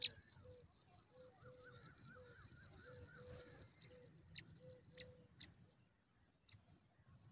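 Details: Pipit chicks beg in a steady, high, hissing chorus as their mother feeds them fresh food. Lower honking notes repeat about twice a second underneath, and sharp clicks come near the end.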